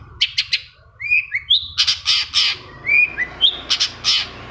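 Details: Long-tailed shrike singing as a lure to get another shrike to answer: rising whistled slurs mixed with bursts of harsh, scratchy notes in a varied phrase, with a faint low hum.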